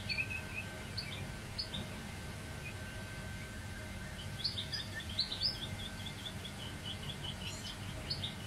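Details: Goldfinch mule warbling: scattered high chirps, then a dense burst of quick twittered notes midway, trailing into more chirps, over a low steady background hum.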